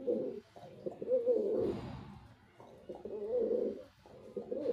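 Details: Low rolling coos from a male white pigeon, two or three rounded bursts rising and falling over a few seconds against a murmur of room noise.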